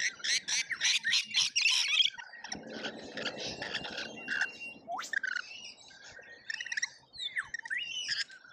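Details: Lorikeets in a feeding frenzy at a feeder in Australia, filmed by a feeder camera: a dense burst of harsh, rasping screeches for two seconds, then a noisy scuffle with scattered shorter squawks and thin chirps.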